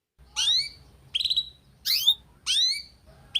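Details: Canary song used to encourage young canaries to sing. Four spaced bursts of high, sweeping whistled notes about every 0.7 seconds, one with a quick stuttering pulse, over soft low background noise.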